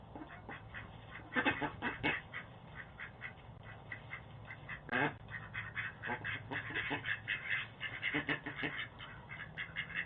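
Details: Ducks fighting and complaining beside a home's front door in Boise, caught on a doorbell camera: rapid bursts of harsh, raspy quacks, some clustered in quick runs and others in single loud blasts, over a steady low hum.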